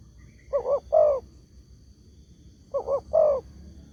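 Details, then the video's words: Spotted dove lure call meant to draw replies from other doves: two phrases of paired short coos and a drawn-out throaty coo, a little over two seconds apart, over a quiet background with a faint high hum. "SEMUA BURUNG TEKUKUR PASTI NYAUT DENGAN SUARA INI"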